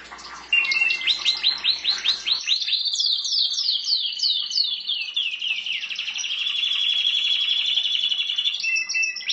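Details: Caged canary in full song, a quick burst of notes giving way to a string of rapid downward-sweeping whistles, then a long rolling trill and a sustained chattering close.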